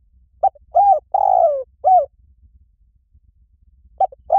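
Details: Spotted dove calling as a lure for other doves, giving a phrase of four hollow coos with a long falling third note, a pause of about two seconds, then the phrase starting again.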